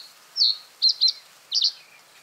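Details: Brief fragment of common reed bunting song: a drawn-out high note followed by paired quick chirps and a closing doubled note.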